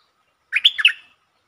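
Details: A single quick bubbling phrase from a streak-eared bulbul, lure song recorded 13 February 2023, a rising note then a run of rolling warbled notes, clear and isolated in silence.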